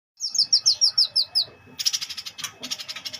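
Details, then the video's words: White-eyed bulbul singing in the 'ngleper' style: a quick run of about eight thin, high downslurred notes, followed by dense buzzy chattering bursts repeated rapidly. "Burung cucak cungkok ngleper"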